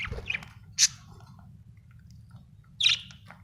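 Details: Budgerigar with soft twittering at the start, one loud high chirp, then a long quiet gap before another loud buzzy chirp.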